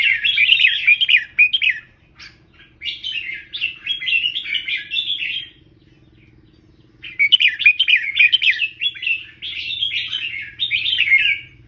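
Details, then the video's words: Red-whiskered bulbul tutor bird singing double-song for teaching; repeated long phrases of fast bubbling whistled notes, with a longer silent gap in the middle. "เสียงนกกรงหัวจุก เบิ้ล3 อาชีพ"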